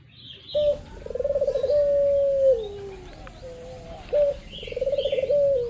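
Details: Local zebra dove used as a lure to provoke rival doves into calling: a low, mellow trilled coo stretched into a long steady note, briefly repeated, with faint higher chirps from other birds in the background.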